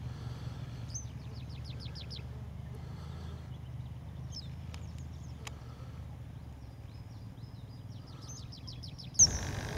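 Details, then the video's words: Western yellow wagtail in Siberia gives a quick run of thin, high, downslurred notes, then more near the end, over a steady low rumble of wind or distant traffic. "Жёлтая трясогузка. Голос жёлтой трясогузки."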